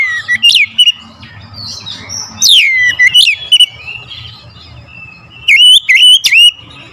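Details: Oriental magpie-robin lure song, loud sharp whistles sweeping up and down, with bursts of slurred notes and harsh accents, punctuated by a quick trio of high whistles near the end over a low hum.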